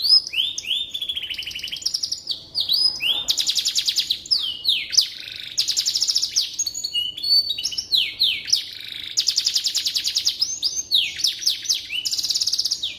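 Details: Canary in sustained song for training magpie robins: thirteen seconds of rolling trills, rising and falling slurred whistles and bursts of rapid rattles, loud and continuous throughout.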